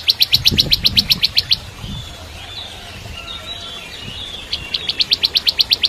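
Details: Bar-winged prinia, kept as a training song for shamas, giving fast repeated sharp chirps about four per second in two bursts, with a quiet gap of faint distant twittering between them.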